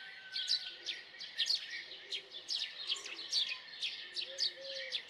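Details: House sparrow chirping insistently, each note a sharp downward-slurred 'chip', spaced a little under a second apart, with a brief low tone near the end.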